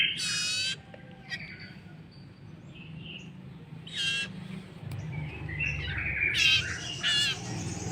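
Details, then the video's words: Common iora chick during hand-feeding, giving a few scattered harsh buzzy squawks and faint chatter, with steady low background noise. "MEMBERI MAKAN ANAK BURUNG SIRTU ATAU CIPOH"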